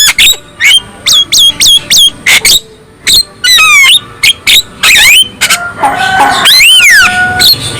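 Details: Black-winged myna song meant to provoke other black-winged mynas into singing: loud, varied phrases of sharp falling whistles, harsh squawks and rising-falling swoops, in bursts with short gaps.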